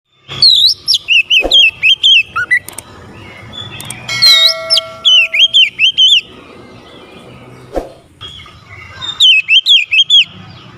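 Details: Oriental magpie-robin in persistent song, meant to rouse a lazy magpie-robin: loud bursts of rapid, wavy, whistled notes repeated in quick runs, with pauses and a few sharp clicks between phrases.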